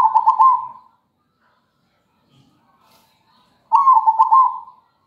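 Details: Zebra dove singing as a lure for training other birds: two bursts of soft, rapid, stuttering coos that trail off, separated by nearly three seconds of silence with a faint low knock between them.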